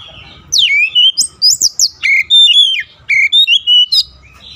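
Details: Oriental magpie-robin (kacer) in daily training aimed at a fast, long rolling song, giving a quick series of loud whistles, steep downslurred notes and short chirps with brief pauses.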